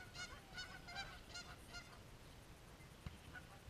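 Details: Fighting geese give a run of five loud, harsh honks spaced about every third of a second, then the calling fades into low background rumble with one sharp knock.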